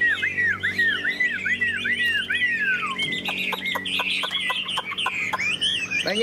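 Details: Tame Chinese hwamei in a cage sings a string of arching whistles, then quick sharp chips and a rising trill, all loud and clear.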